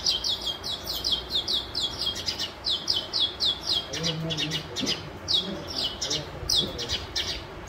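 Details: House sparrow fighting over a nest site while building a nest in a house; a rapid series of sharp, high chirps repeated several times a second, then looser, spaced chirps with faint low sounds beneath.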